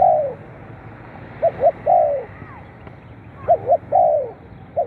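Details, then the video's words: Spotted dove calling, used to rouse captive birds: repeated phrases of two quick hoots followed by a drawn-out descending coo, with two full phrases between clipped fragments at the start and end. "เสียงนกเขาใหญ่ เปิดกระตุ้นนกชำ ขึ้นไว"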